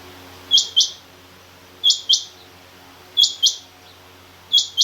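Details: Female rain quail calling among king quail: high, sharp doubled chirps repeated evenly about every one and a third seconds, four pairs in all, over a quiet low hum.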